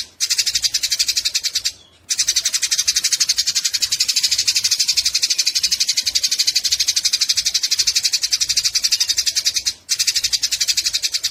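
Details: Fighting Eurasian tree sparrows keep up a long run of rapid, rasping chatter, loud and even throughout, with two brief silences, one near two seconds and another near ten; recording meant as a tutor for songbirds.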